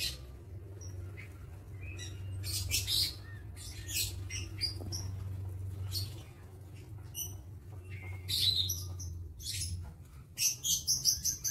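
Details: Lovebirds in an aviary, recorded 22 August 2023: a busy mix of sharp, high chirps and shrill squawks scattered irregularly, several birds calling at once over a low steady hum.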